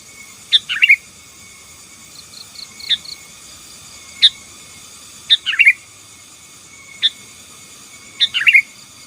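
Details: 'Gacor' Sooty-headed bulbul singing to dominate opponents: bubbly multi-note phrases mixed with single sharp chirps at uneven intervals, plus a few faint pulsed high chirrups like an insect in the background.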